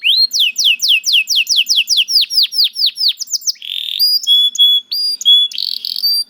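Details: Canary producing a long rhythmic run of high downslurred chirps, then a buzzy roll followed by clear steady whistled tones and further harsh rattling notes.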